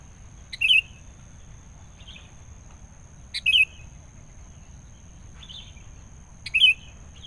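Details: Wild sooty-headed bulbul being lured: short bubbly warbled phrases repeated about every three seconds, three loud ones with fainter replies between, over low background hum.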